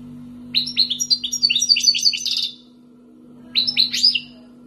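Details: Algerian wild-caught goldfinch, two years in captivity, sings a rapid run of liquid tinkling chirps building into a buzzy twitter, then a shorter echoing phrase after a pause, with a steady background hum.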